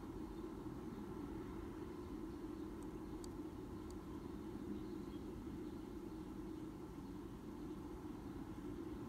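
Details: Steady low rumble of distant traffic, with a few faint clicks and no animal calls.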